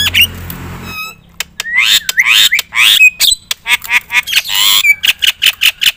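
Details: Loud Javan myna song, used to provoke other mynas, mixing harsh squawks, rising slurred whistles, sharp clicks and a fast burst of short, choppy notes.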